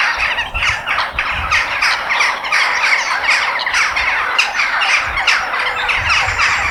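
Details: Harsh crow calls in nature, many birds squawking at once in a steady, rough chorus of short repeated notes, with faint low thumps underneath.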